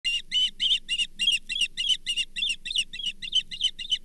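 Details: Osprey at the Charlo nest on 24 April 2023 as a brown bullhead is shared; rapid series of sharp, whistled chirps, about three per second, evenly repeated, with a low steady hum underneath.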